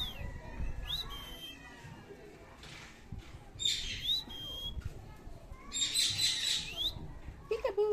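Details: Pet Indian ringneck parakeet saying thank you: a high, thin, speech-like phrase mixed with short whistled notes and squeaks, over a low background hum.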